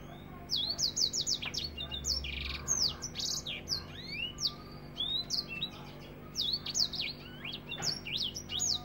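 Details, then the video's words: African finch singing a rapid, close-packed 'nembak rapet' song used as a tutor recording: rushing series of high downward-slurred whistles and chips, a brief buzzy note, faint background hum. "Masteran African finch nembak rapet"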